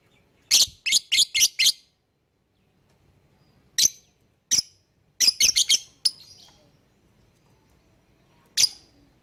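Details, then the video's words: Lovebird calling, meant to prompt other birds to join in: a burst of five rapid shrill chirps, scattered single sharp notes, another quick cluster, then a lone chirp after a pause. "Pancingan Burung Lovebird Bikin yang lain IKUTAN bunyi."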